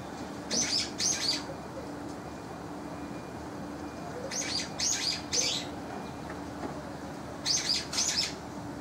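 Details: Calling duel among young brown-eared bulbuls, spring into summer: clusters of two or three piercing high screechy notes come in three bursts several seconds apart over a faint steady hum.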